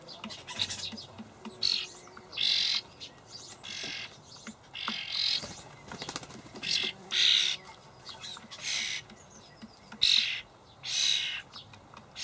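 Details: Juvenile starlings in a Hamburg allotment garden in late May beg while adults feed them; quieter, irregular rasping bursts and soft chirps spread over the recording, with some rustling.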